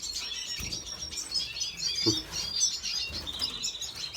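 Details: Red siskin song recorded 5 April 2022: a continuous stream of high, thin twittering and buzzy trills, with a few soft low thumps in the background.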